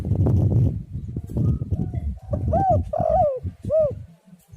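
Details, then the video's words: Tekukur, the spotted dove, cooing as a lure call: after a stretch of low rumbling noise comes one phrase of rounded, arched coo notes, the middle note drawn out and falling. "tekukur super gacor cocok untuk pancingan burung"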